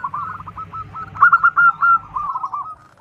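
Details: Zebra dove, a local bird with a big voice, giving a run of quick, soft staccato coos that blur into a rolling trill, over a low rumbling background for the first two seconds.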